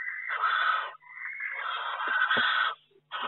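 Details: Barn owl inside a nest box in May, with hatching chicks. Long, rasping, broadband hisses run almost continuously, broken by a brief pause and a few knocking thumps before another harsh burst begins.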